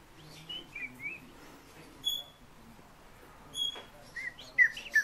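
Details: Fieldfare singing, offered as a vocal lesson: short slurred whistles, a pair of thin high piping notes, then a final burst of sharp, squeaky falling whistles.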